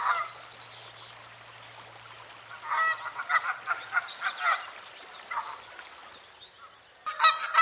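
A goose honks in a quick run of harsh, nasal calls, goes quiet for a few seconds, then ends with louder honks.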